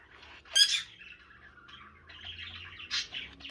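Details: A baby green-cheeked conure, a pet bird, chatters in short squawky, buzzy bursts with two loud harsh notes near the start and end, while a woman talks to it softly indoors.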